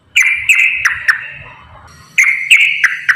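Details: Straw-headed bulbul in loud, rapid 'ropel' song, used as a lure to get lazy bulbuls singing: rich warbled phrases with sharp accented notes, a pause, then the bubbling phrases resume.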